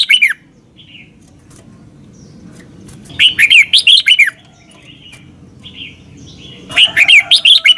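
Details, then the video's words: Thai red-whiskered bulbul giving the doubled southern-style master song meant for young birds to copy: a lone slurred whistle, then two rapid bursts of rising and falling warbled notes, with faint twitters in the pauses. "เสียงนกกรงหัวจุก เบิ้ล แม่บทใต้ เพลง พยางค์ เสียงชัด ก๊อปติดง่าย"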